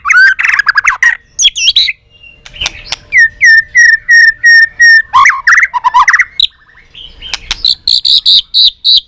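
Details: White-rumped shama competition fighting song: rapid rising notes, a long series of evenly repeated whistled notes, then a fast run of short high notes repeated several times per second.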